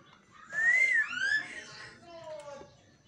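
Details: Indoor caged black-naped oriole, a bird heard every dawn: a clear slurred whistle rising then falling, a second curving note, then a lower, softer whistle sliding downward.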